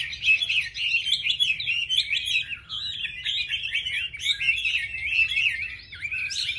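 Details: Chinese hwamei pouring out a continuous, rich warbling song of tumbling whistles and twittery trills with no pauses, over a low steady hum.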